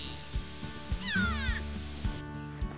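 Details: Grey go-away-bird (Corythaixoides concolor) gives one very loud, drawn-out, nasal, wavering call that slides downward, like a whiny 'gwaaay', over a steady low hum and a few soft taps.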